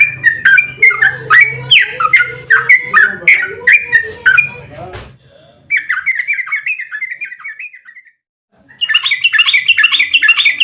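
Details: Yellow-vented bulbul in emotional fighting 'ropel' song, a lure to draw replies from other bulbuls. Rapid jumbled whistles over a low hum, a sharp click, a softer run, a silence, then a loud chattering burst.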